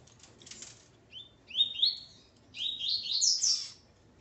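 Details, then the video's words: Male Coleiro, caged with his female, singing the Ponto 50 style; clear whistled notes rising in steps, two short phrases building into a faster climbing run. "Coleiro Ponto 50 e sua Fêmea Calibre 40."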